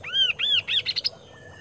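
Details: Kaso-kaso bird in full song: three clear arched whistles rising and falling, then a quick run of shorter, higher chirps that speeds up before ending abruptly.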